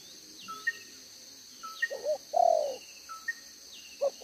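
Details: Spotted dove decoy in Vietnam with a two-row spotted neck collar, 'đồng gáy 1 hậu' cooing, 11/6/2023. After thin high chirps from other birds, one low coo pair rises out clearly, followed by the start of another.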